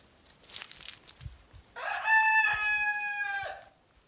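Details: Rooster crowing in a backyard in the morning: a raspy crow of about one and a half seconds with a steady held tone, preceded by rustling and soft background noise.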